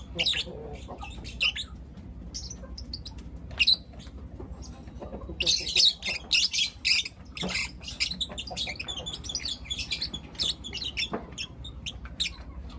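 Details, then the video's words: Four young lutino lovebirds chirping in the morning: scattered high, scratchy chirps, then a dense cluster of rapid harsh notes in the middle, tapering to sparser calls over a low background hum. "Lutino LoveBird Chirping Sounds - four Cute LoveBird Kids"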